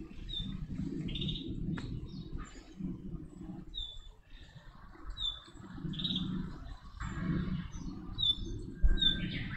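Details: Chestnut-cheeked starling during breeding and chick-rearing, giving short, high, thin chirps roughly once a second over a steady low rumble of wind and handling noise.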